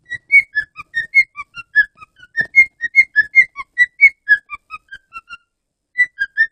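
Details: A male pet cockatiel, kept for five years, whistles a quick, tuneful run of clear notes that rise and fall.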